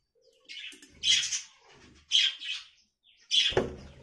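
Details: Budgerigar giving three loud, harsh chirps about a second apart. Each is a short, scratchy burst, high and bright, with softer twittering between them and a faint low murmur beneath.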